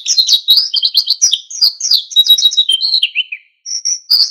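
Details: Oriental white-eye singing vigorously in wild style to provoke other birds into song. A dense, unbroken stream of high, rapid twittering and warbling notes rises and falls for about three and a half seconds, then a few sharp high chirps.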